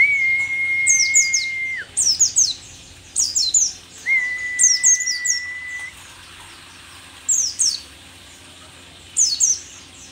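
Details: Mountain white-eye from Merapi, an old rare bird, alternates brisk groups of shrill down-slurred twitters with two long flat whistled tones, phrases about two seconds apart.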